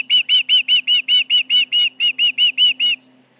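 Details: Osprey at the Charlo nest sounding alarm at intruders nearby, late July 2019, late morning: a rapid series of thirteen shrill, whistled, ringing notes, about two or three per second, then quiet, with a faint steady low hum beneath.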